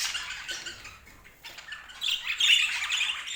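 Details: Budgerigar chatter starts busy, fades to a quieter moment, then bursts back louder with a cluster of shrill, squeaky squawks and warbles.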